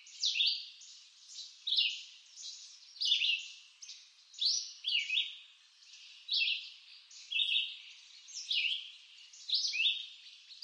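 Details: Eastern North American forest songster, the red-eyed vireo, delivers a long run of short slurred whistled phrases, around a dozen in sequence, varying between rising and falling inflections with steady pauses.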